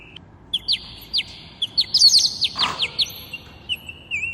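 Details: Two pet parrots singing together at home, a sustained high whistle broken by quick repeated clicks, one short rougher call partway through, ending in a wavering whistle.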